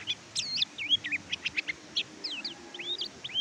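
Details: Oriental white-eye, a training recording meant to prompt silent caged birds to sing; lively high chirping with quick looping and down-slurred whistles, irregular bursts of about a dozen notes, faint low hum beneath.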